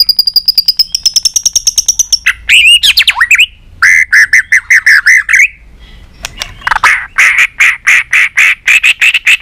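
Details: White-rumped shama song meant to stimulate shamas; opens with a rapid rising trill, moves into rich varied whistled phrases, pauses, then a fast rhythmic series of repeated chirps.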